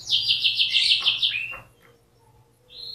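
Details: Canary song: a rapid high trill of repeated notes for about a second and a half, a short sweep, quiet, then a faint high note returning.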